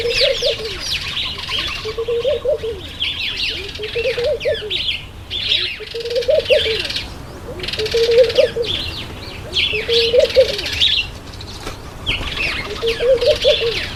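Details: At a feeding table, a black-collared barbet gives a short, mellow, rising-and-falling low phrase repeated about every two seconds. A busy chorus of high, sharp chirps from other birds fills the background.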